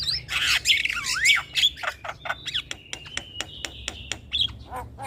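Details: Black-winged myna song used as a lure for stressed, silent birds: loud harsh squawks and swooping whistles at first, then a long steady whistle broken by rapid sharp clicks, over a low background hum.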